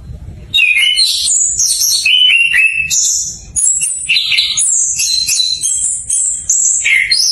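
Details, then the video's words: Orange-headed thrush (anis kembang) practising full song as a prompt for silent birds: after a brief low rumble, a fast stream of varied whistles, trills and slurred notes leaping between middle and very high pitch. "PANCINGAN ANIS KEMBANG BELAJAR NGEPLONG COCOK UNTUK PANCINGAN ANIS KEMBANG MACET"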